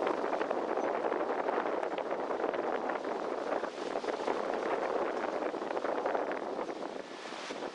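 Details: Steady rushing wind or engine-like noise fills the recording throughout, with no animal calls standing out.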